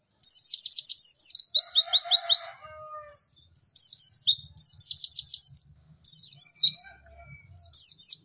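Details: Pleci masteran recording of white-eye cek cek werr song: repeated short bursts of rapid, high down-slurred notes with brief silences between them and faint low background noise.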